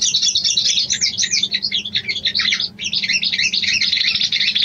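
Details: Female sooty-headed bulbul calling to the male as a mating lure: dense, rapid high chattering and twittering runs with brief pauses, nearly nonstop, with a faint low hum underneath.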